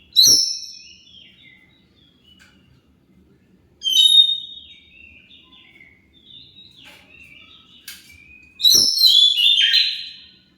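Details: Oriental magpie-robin song, played as a lure to make other birds answer; three loud bursts of rich, twisting whistles and rattles, separated by quiet gaps with faint chirps.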